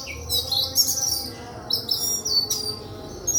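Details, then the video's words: White-throated flycatcher singing: high, thin chirps and bright twittering phrases in quick, uneven bursts, with a low hum beneath. "sikatan kerongkongan putih"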